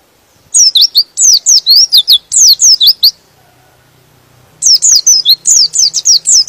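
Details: Provocative white-eye song that excites other white-eyes into singing: two bursts of fast, high, tumbling chirps, each note sliding downward, split by a pause of about one and a half seconds with faint low hum beneath.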